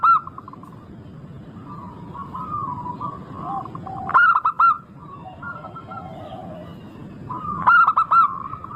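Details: Local zebra dove in full voice, recorded as a lure to get other doves singing: two loud bursts of four or five rapid, clipped cooing notes, about three and a half seconds apart, over a steady chorus of softer, continuous cooing.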